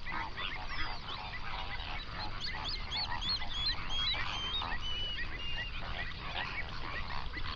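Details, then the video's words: Hundreds of flamingos gathered on a South African national park lake in the Overberg, recorded binaurally near sunrise: busy goose-like honking and gabbling, with a run of clearer, higher upslurred calls in the middle. "Flamingo sounds"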